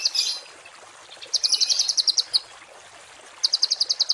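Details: Songbird masteran tutor recording of harsh rapid-fire 'tembakan kasar' phrases, used to train cage and contest birds: a short high buzzy burst, a pause, then two trains of sharp clipped notes, about nine per second.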